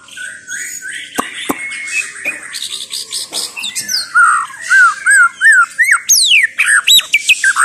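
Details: White-rumped shama of the Chao Singto line in full song: scratchy mixed phrases give way to clear whistled notes that rise and fall, then fast sweeping upward whistles repeated in quick succession.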